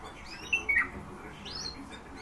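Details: Eurasian bullfinches: a pair of brief, pure whistles, the second dropping slightly, then a faint rising note from another bird, against quiet background murmur.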